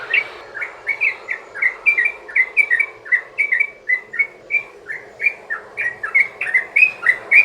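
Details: Sooty-headed bulbul in a long, rapid 'ropel' song used as a lure to get other bulbuls singing: a steady run of about twenty bubbly, slurred whistled notes, each rising or falling, roughly three per second, with a quiet background.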